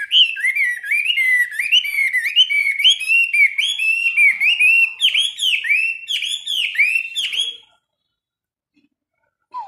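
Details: Morning training song of a caged Chinese hwamei, part of a 15-minute daily session: nearly eight seconds of loud, varied whistling, each note bending up or down in quick succession, then silence.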